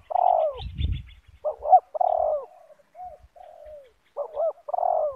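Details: Spotted doves of the banggo type meeting in a yard, decoy against a loud wild rival; throaty cooing phrases ending in falling slurred notes, with a brief thump near the start.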